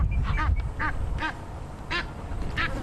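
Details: At sunset on November 11 on a safari drive, Egyptian geese with six goslings make a racket as two marabou storks are chased off: five harsh, nasal honks about a third to half a second apart, over a low rumble.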